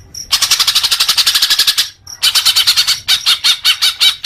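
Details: Leafbird song as therapy for newly caught young birds: two long runs of fast, harsh rattling notes, then slower separate chirps, with brief high ticks before each run.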